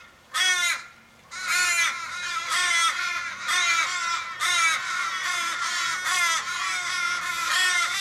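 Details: Wild Australian ravens, fifteen or more, circle a dying raven in a Sydney suburban street in July 2012, giving long nasal wailing caws with falling endings, roughly one per second, some overlapping as several birds call together.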